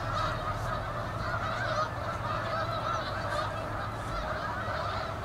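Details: Autumn flock of Canada geese at South Utica Reservoir, Utica, New York, in November, giving many overlapping honks, loud and continuous, with harmonics stacked upward and a low background hum.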